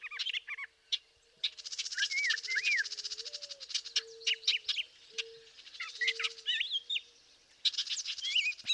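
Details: Young northern house wrens calling from forest undergrowth on a summer morning in Montana: a rapid, harsh, buzzy begging chatter with short squeaky chirps in between over a faint steady hum.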